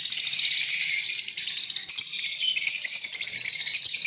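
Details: Green Fischer's lovebird pair during breeding, kept in Pakistan, giving a dense, continuous shrill chatter of high, rattling chirps and squeaks, with no pauses across the four seconds.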